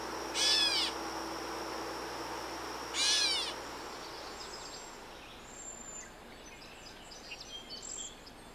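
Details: Wild Gray catbird in Canada calling twice, each a short, harsh, cat-like mewing note, spaced about two and a half seconds apart, followed by faint high chirps from other birds and soft background hiss.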